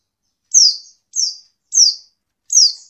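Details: Female white-eye call used to stir sluggish males into song: four thin, high notes, each sliding steeply downward, repeated roughly every 0.6 seconds over a silent background.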